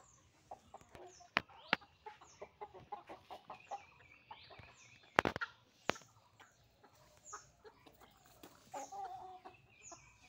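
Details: Rooster with hens during the morning rush, scattered clucks and short squawks over about ten seconds, with sharp clattering knocks in between.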